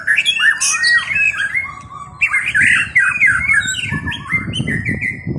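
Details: White-rumped shama delivering a dense jumble of sharp whistles, slurs and squawky notes, rising and falling without a fixed rhythm, with faint low background rumble.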